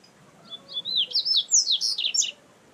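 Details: Double-collared seedeater in nature delivering a short, loud song phrase of high, sweeping whistled notes that rise and fall rapidly over about a second and a half, clear against a quiet background.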